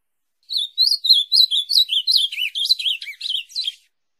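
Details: Ultramarine grosbeak song played for training a pet bird to sing: one warbled phrase of about thirteen quick, rising-and-falling whistled notes over roughly three seconds, dipping lower toward the end, in silence with no other sounds.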